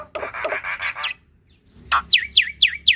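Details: Javan pied starling in full song, a master recording to coax young or lazy starlings: a harsh rasping chatter, a short pause, then four sharp downslurred whistled notes about four per second.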